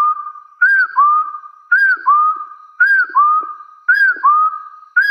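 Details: Rival-challenging call of a wild hill partridge: five regular couplets of whistles, an arched opener followed by a sustained gently climbing note, evenly repeated about every 1.1 seconds.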